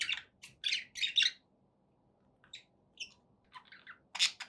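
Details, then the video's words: Pet budgerigars give scattered short chirps and squawky notes in a few bursts, separated by a quiet stretch, over a low background hum. "budgie sounds"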